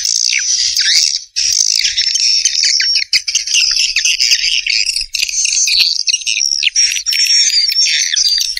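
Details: Swiftlets chirping continuously in a thick chorus of high, buzzy, slurred twitters and whistled notes with hardly a pause, now and then dipping lower in pitch.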